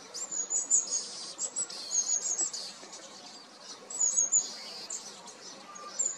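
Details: Long-tailed tit giving very high, thin, short see-see notes in small clusters roughly every second, over a soft background hiss.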